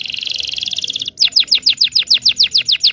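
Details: Local Indonesian canary song used to train young canaries: a rolling high trill lasting about a second, then a regular series of loud downslurred whistles roughly every quarter second.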